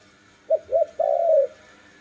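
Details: Single dove phrase: two short low coos followed by one long, smooth coo that slowly falls in pitch.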